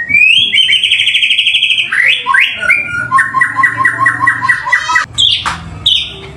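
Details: Song of a white-rumped shama meant to provoke other birds to sing. A sustained, high trilled whistle, then sliding notes and a run of evenly spaced repeated phrases, ending in abrupt sharp notes over a steady low hum.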